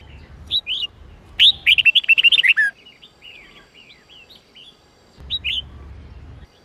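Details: Red-whiskered bulbul, Sông Kôn type, in a voice-training recording of 8-9-10 note song: brief paired chirps, then a loud burst of around ten rapid whistled notes, followed by softer twittering and another short chirp pair.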